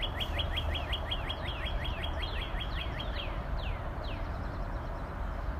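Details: A fast string of short, down-slurred whistles from a Northern Cardinal slows into a few long, sweeping descending notes, with a continuous low environmental rumble underneath.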